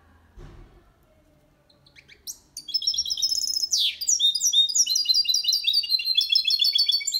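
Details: Caged goldfinch × canary hybrid singing Malaga-style song used to stimulate males and teach young birds: after a quiet start with a faint thump, a rapid high twittering series of chirps and trills begins, with one downward swoop.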